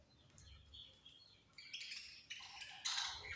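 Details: Budgerigars chirp while having food: quiet scattered twitters at first, then louder, harsh, buzzy chirps that come in quick bursts toward the end.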